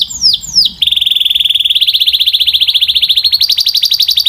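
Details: Canary song opening with two swooping downslurred notes, then a long rapid trill of repeated high notes creeping upward in pitch.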